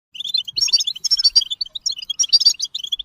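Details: European goldfinch singing its bitbita-style song: a fast, continuous twitter of bright, tinkling high notes and quick chirps with no pauses.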